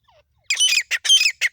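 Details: Female partridge from Pakistan, a call used for hunting: a faint short note, then a burst of harsh, raspy, broadband squawks in four quick clusters.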